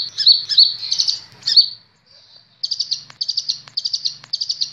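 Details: Kolibri ninja sunbird training song for cage birds: bursts of high, thin, buzzy chirps, then a pause and a run of short, rapid, evenly spaced high ticking notes.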